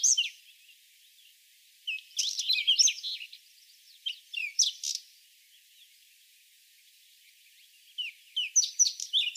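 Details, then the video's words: Whinchat singing in short scratchy phrases of mixed chirps, buzzy notes and brief whistles, three bursts separated by pauses of a second or more. "Голоса птиц: луговой чекан"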